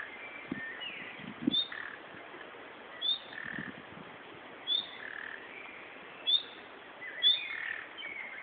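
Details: Nightingale in bushes in Berlin giving calls rather than song: five brief high upslurred whistles about every one and a half seconds, with softer scratchy notes between them and a few low thuds.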